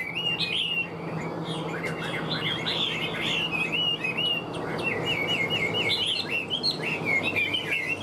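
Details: Hwamei in captivity, said to sing very well, gives a continuous flow of warbled whistles, some trilled, others sliding smoothly, over soft background noise.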